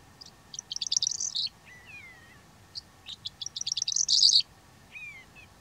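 A Calandra lark sings two quick bursts of jumbled, scratchy chirps that rise to a dense high climax, each followed by a short, clear downslurred whistle.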